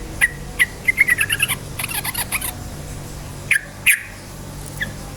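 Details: Yellow-vented bulbul singing a rapid, energetic lure song meant to rouse other bulbuls: spaced bright chirps running into a quick jumble of bubbly notes, then a few sharp isolated notes with clicks.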